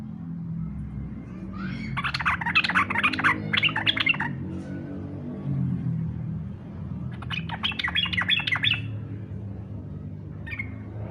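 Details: A yellow-vented bulbul gives fighter-style song meant to draw other bulbuls into singing: two dense clusters of chattering, bubbling notes separated by a few seconds, over a steady low hum.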